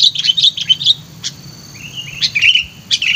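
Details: A wild-caught Sooty-headed Bulbul, lively and vocal, giving quick, bright chirping phrases, then a short rising slurred whistle followed by more sharp notes; a faint low hum underneath.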